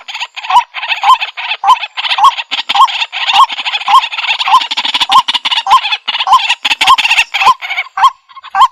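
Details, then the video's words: Long, noisy chorus of white-breasted waterhen (kuro-wakwak) through a Bluetooth speaker. Dense harsh grating calls overlap with steadily repeated hoarse kwak notes, close to two per second throughout. "Kuro-Wakwak White Breasted Waterhen 100% Effective Sounds"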